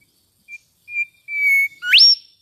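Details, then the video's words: Mangrove whistler: three clear, steady whistles, each longer than the last, then a sharp upswept whip that ends the phrase; no other sounds are heard. "mangrove whistler bird chirping sweetly"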